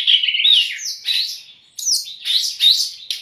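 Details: A brown-chested jungle flycatcher singing, meant as a tutor song for captive birds, with husky buzzy warbled phrases in short bursts and brief pauses between them.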